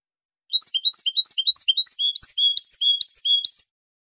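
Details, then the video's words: European goldfinch, clean-style song, a fast jingling stream of high twitters turning into clear, drawn-out whistled notes, lasting about three seconds in a quiet setting. "canto del jilguero limpio"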